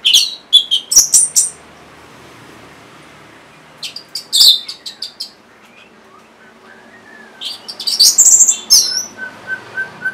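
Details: Orange-headed thrush, played to coax caged birds that have stopped or are lazy about singing, giving short bursts of high, chirpy, scratchy notes separated by quiet gaps, with a faint low whistle in between.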